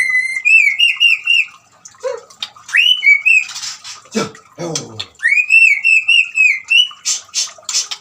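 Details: White-rumped shama singing loudly: clear whistled phrases with wavering trills, breaking into harsh, noisy bursts mid-way before the sweet warbled whistles return, sung alongside the sound of trickling water.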